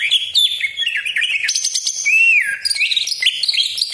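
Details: Greater green leafbird singing continuously in a provoking lure song: fast, bright warbles and chips, a smooth arching whistle in the middle, then more rapid chattering phrases.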